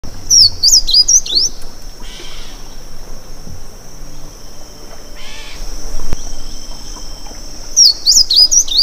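Blue Seedeater sings two short, high, sweet phrases of quick up-and-down whistled notes at the start and end, over a steady thin insect whine and soft rustles.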